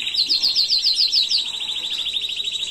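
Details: Canary performing a tutor song without mistakes, for training young birds, 2022: a series of quick high chirped notes laid over a steady rapid trill, which then runs on alone, smooth and even.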